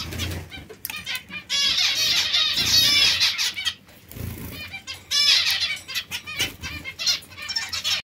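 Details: White zebra finch song: long, loud stretches of fast, nasal, buzzy notes with brief pauses between bursts, over faint wing flapping and other finch chatter.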